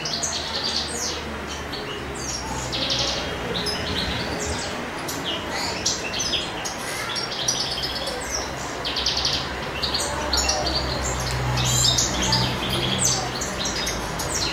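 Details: Male European goldfinch singing in spring while courting: a rapid, continuous stream of bright, tinkling twitters and chirps, delivered in quick bursts with short pauses, over a faint low background hum.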